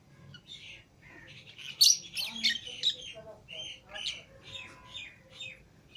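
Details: Lovebirds, green Fischer's and lutino pairs released from the cage with other lovebirds, chatter with overlapping high squeaks and twitters, some lower notes among them, continuing throughout.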